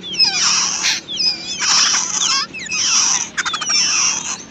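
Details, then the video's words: Babbler chicks in a wild nest, fed by their mother: noisy, rasping begging bursts roughly every second, mixed with thin squeaky whistles and a rapid rattling stutter near the end. "Wild Babbler Bird Feeding To Her Chicks"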